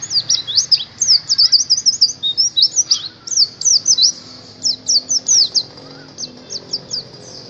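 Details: Indonesian white-eye, a songbird-hobby bird, delivering a lively string of high, clipped, downslurred chirps and quick trills, grouped in short bursts, thinning out to spaced single notes near the end.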